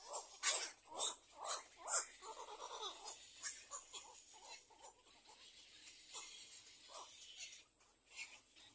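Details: Little egret chicks in their nest, the second nest, waiting for food: harsh, noisy rasping calls in loud bursts about every half second at first, then softer, scratchier chatter continuing unevenly.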